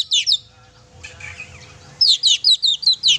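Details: Lively oriental magpie-robin song used to provoke a pet bird: two bright high notes, a quieter soft twitter, then a rapid series of about seven sharp chirps, roughly two or three each second.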